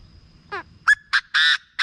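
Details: Chinese francolin calls played to excite birds for decoy trapping: a buzzy rising note, then several loud, harsh, raspy bursts in quick succession, the longest held about a quarter second, over a quiet background.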